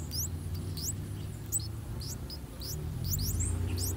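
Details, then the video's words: Three-day-old streak-eared bulbul chicks in a nest in a water jasmine tree in front of a house, fed by both parents: rapid thin, high rising squeaks repeated many times, over a steady low rumble. "Streak-Eared Bulbul Feeding Their Chicks In The Nest"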